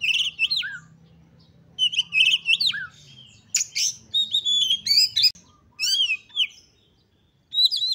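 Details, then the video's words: Oriental magpie-robin singing with high excitement, a recording used to push other magpie-robins into song; bursts of sweet whistles, buzzy chatters and rising notes separated by short silences, with faint low hum beneath. "KACER GACOR FULL EMOSI TINGGI// JOSS UNTUK MENDONGKRAK KACER LAIN AGAR CEPAT EMOSI DAN GACOR FIGHTER"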